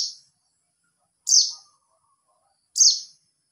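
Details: White-eye calling to other white-eyes: sharp, very high chirps sliding downward, each about a quarter second long, repeated roughly every one and a half seconds against silence.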